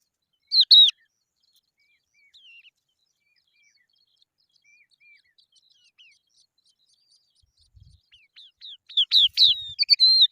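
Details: Young Eurasian skylarks in sunshine: one piercing high chirp, then a long hush broken by soft faint notes, ending in a lively burst of rapid, sharp, downslurred chirps with a few dull knocks.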